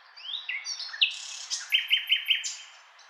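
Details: A nightingale sings a rich phrase: sliding whistles and a buzzy burst, then a run of five rapid, identical piping notes repeated evenly, ending on a high whistle, with no other sounds.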